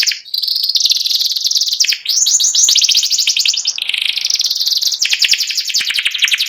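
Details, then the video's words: White panda canary with symmetrical markings, singing in the ngeriwik style: an almost unbroken run of high, rapid trills and buzzy rolling chatters, the pitch shifting between phrases every second or so, with no other sounds. "burung kenari putih panda ngeriwik"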